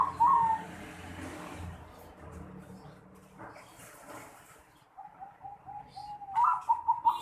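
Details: Zebra dove's unusual 'noklak' voice, recorded 11 December 2020. A brief rolling coo opens the clip, then several seconds of background noise. A longer series of cooing notes ends it.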